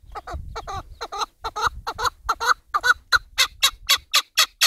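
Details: Chukar partridge calling: a rapid run of harsh, chuckling notes at about four per second, starting muffled and growing louder and clearer toward the end, with low rumbling background noise in the first second.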